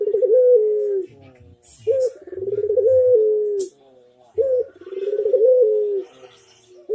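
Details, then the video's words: Barbary dove (puter) master song meant to make other doves answer: low, soft coos, a short rising note then a longer rolling, purring coo, repeated about every two and a half seconds. "PUTER MANGGUNG GACOR - Suara Merdu"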